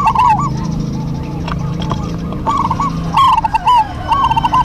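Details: Local zebra doves singing in duet, several birds answering one another: bubbly, rolling coo phrases with a quick trilled middle, each about half a second, given in short bursts over a steady low rumble and background noise.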